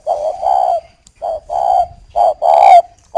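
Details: Spotted dove in captivity in northern Vietnam, a breeding decoy bird cooing toward a hen. It gives loud, mellow paired coos, each pair separated by brief pauses, with some quiet background noise.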